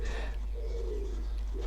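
A pigeon gives a soft, low, drawn-out coo, then begins another, muffled as if from outdoors over a steady low indoor rumble.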